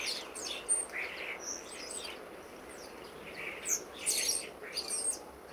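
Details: Common starlings in a garden during October, part of a growing autumn flock of over 60 birds, fighting among themselves; irregular whistles, squeaky notes and rasping chirps overlap from several birds amid background hiss.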